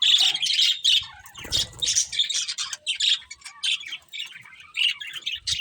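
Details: Budgies chattering steadily: dense, high, scratchy warbles and chirps in quick succession, with a low rustle midway.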